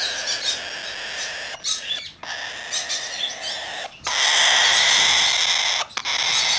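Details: Tame, domestically raised Blue-eyed cockatoo on 6 December 2019, screeching in harsh, noisy bursts broken by short gaps. The final stretch is a louder, sustained grating cry.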